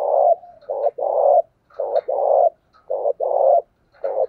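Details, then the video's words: Spotted dove decoy bird, cooing in the thổ voice style to lure and provoke wild doves into calling. Low, hollow coos in short-then-long note pairs, with phrases repeating roughly every second. The background is quiet. "tiếng cu gáy mồi chuẩn thúc vầy bổi nghe ức chế gáy liền"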